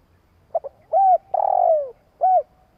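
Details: Spotted dove delivering its long coo to stir rival doves: soft double pip, a smooth rounded coo, a drawn-out buzzy note that drops in pitch, and a closing short coo, in a quiet setting.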